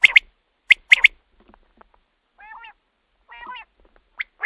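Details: Common quail, a recording meant for night use to lure quail for hunting: sharp three-note phrases at the start, then two drawn-out nasal, quacking notes with a pause between, and another sharp note at the end.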